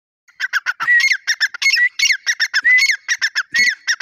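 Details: Grey francolin (teetar) calling loudly in a rapid series of harsh clipped notes mixed with short rising whistled phrases, repeated about every second with no gaps. The background is otherwise silent.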